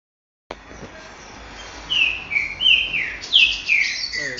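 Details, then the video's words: Green-winged saltator (Saltator similis) sings a run of rich, slurred, swooping whistles, ending with brighter, higher notes over faint hiss; recorded 23 July 2022 at 12:40 midday. "TRINCA FERRO DO CANTO DIFERENCIADO"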